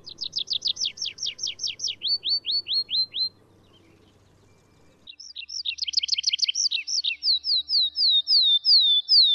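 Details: A wild Atlantic canary (Serinus canaria) sings long, rapid trills of high, sweeping notes, switching to new phrases after short pauses, with faint low background noise.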